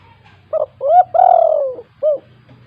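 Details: Spotted dove (tekukur) giving the "kuk 2" gacor call meant to lure silent doves: short opening coo, rising second coo, long gently falling coo, then a short last note, with a low steady hum.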